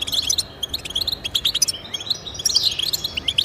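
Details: Short burst of European goldfinch song for encouraging pet goldfinches: quick bright chirps and tinkling notes, then a louder buzzy twittering phrase toward the end.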